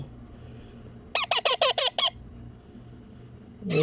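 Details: Young Indian ringneck parakeet being fed by hand gives six rhythmic, raspy squawks about one per sixth of a second, followed by a pause and the start of another harsh call.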